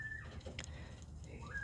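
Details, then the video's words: Captive male Northern Bobwhite wearing a purple band, kept alone in a separate pen after being beaten up by others, calling because he wants back in with the group: a clear whistled note at the start and a rising whistle at the end. "the little boy you hear calling behind me is back in Seven's old pen"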